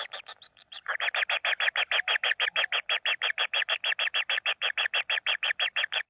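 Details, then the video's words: Common kingfisher chicks begging while being fed in the nest: after a few thin higher notes, a sustained rapid series of rasping buzzy calls, about three each second, steady and unchanging, with a close boxed-in sound. "kingfisher babies"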